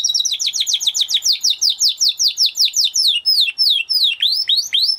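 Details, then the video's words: Spanish Timbrado canary song made of quick descending whistled slurs repeated about twice a second, shifting midway to faster, higher swooping notes, all loud and clear. "Canary Sound Effect - Canary Singing Video"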